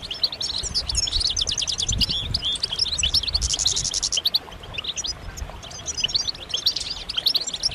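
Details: A flock of European goldfinches in group twittering, with mating and readiness calls meant to rouse males into song. Dense, high, tinkling notes overlap continuously, with a burst of rapid buzzy trills near the middle and low rumbling noise beneath.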